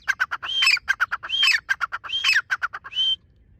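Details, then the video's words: Partridge (teetar) in full calling: fast rhythmic harsh pulses interleaved with arched whistled notes, about three phrases in quick succession, ending on a single drawn whistle; clear, close and loud. "teetar ki awaz"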